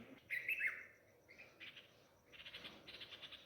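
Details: After a cat took one of their chicks from a nest in home pomegranate plants, parent nightingales call: a loud drawn-out squeaky note, then softer short chirps, then a steady run of quick harsh chirps.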